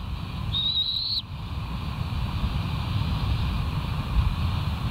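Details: At the West End bald eagle nest, a live camera captures a single drawn-out, high, thin whistle, rising slightly, about 0.7 seconds long, at 07:41 on 17 August 2023, amid constant loud rushing background noise.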